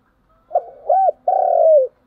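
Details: A spotted dove gives its morning call: faint murmured notes, a short arched coo, then a long sustained coo that slowly falls in pitch, clear and close with no other sounds.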